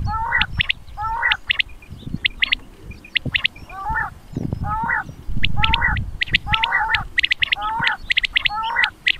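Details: Common quail giving short, clipped three-note calls in quick bursts, about one a second at an uneven pace, over low rumbling background noise; a Punjab/Mianwali quail audio used for hunting.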